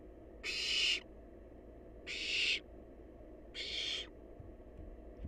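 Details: Three drawn-out, noisy hissing screeches come from a wild barn owl chick feasting on leftovers. Each lasts about half a second and they are evenly spaced about 1.5 seconds apart over a quiet hum.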